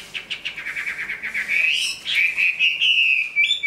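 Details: A large Chinese hwamei, a good singer and fighter that is moulting into new plumage, opens with a quick run of bright, repeated notes, about four a second, then slides into loud, rich, slurred whistles.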